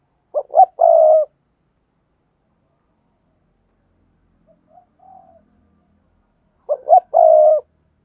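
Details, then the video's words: Spotted dove giving a thúc gù coo, used to train newly caught doves to coo. Two short low hoots lead into a longer, steady mellow coo, and the phrase is repeated after a long silence, with a faint soft note between. "tiếng chim cu gáy thúc gù"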